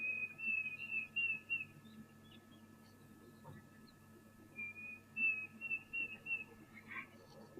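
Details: Diederik cuckoo at a waterhole, calling in the background: high whistled phrases of several short notes, repeated after a pause, over low background hum and a faint murmur.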